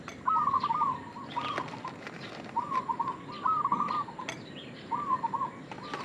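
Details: Local zebra dove used to lure others, uttering five brisk bubbling coo phrases of steady low pitch spaced over several seconds, with faint ticks and a sharp click between them.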